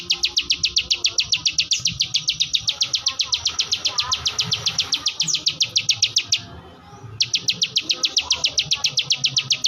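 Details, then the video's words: Ciwah, the klik klik bird, delivers a long rapid train of sharp high clicks at almost four per second, breaking off for under a second before the same steady ticking resumes. "ciwah gacor ngebren, burung ciwah anda dengar langsung gacor"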